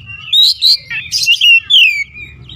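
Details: A brief, loud volley of fluid whistles from an Oriental magpie-robin, with swooping notes and one long descending slur. Used to coax a silent kacer into singing.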